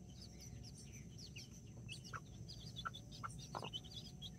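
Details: Backyard flock of two mother hens with nine chicks, mini and Brahma, October 24th 2024: dense high chick cheeping throughout, with a few brief low clucks clustered in the second half over low background noise.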